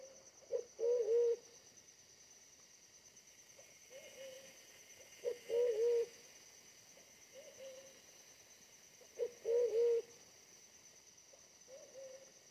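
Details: Wild forest pigeon being lured with a decoy, described as smaller-bodied but very aggressive; three loud, rolling low coos about every four seconds, with softer single coos in between.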